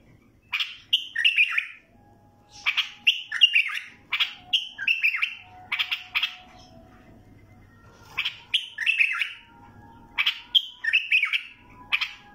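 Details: Bulbul repeating short, bubbling, fluty song phrases in quick bursts over twelve seconds, with brief gaps and soft low background noise.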